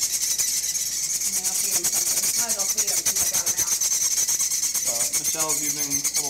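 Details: Fledgling chimney swifts, in an incubator box at an urban wildlife rescue and clinging to its sides, give a constant, intense, high, raspy buzzing chatter like a file on wood, while people talk close by.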